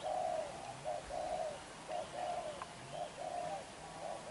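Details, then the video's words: Black-eyed young spotted dove cooing hard in its bowing display. Low rounded coos follow closely in short grouped phrases, with brief gaps between the groups, against a quiet rural background. "Bổi Tơ mắt đen, đập gù quá dữ chim"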